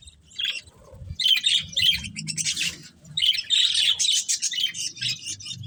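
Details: Budgies, a breeding pair, squawking and chirping in grating bursts, busy chatter with low background rumble.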